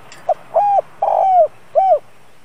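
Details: Spotted dove used as a lure bird, calling to bring in wild doves. A single phrase of a brief lead note and three soft, arched coos, the middle one drawn out, over steady background hiss.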